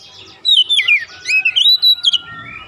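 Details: Oriental magpie-robin (kacer) in agitated isian filler song: a continuous warbling stream of slurred, descending and rising whistles lasting about two seconds.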